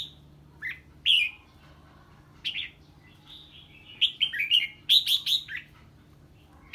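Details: A red-whiskered bulbul answering a strange bird with 'ché' song. Scattered single chirps give way to dense clusters of sharp, warbled notes in quick succession, with a steady low hum underneath.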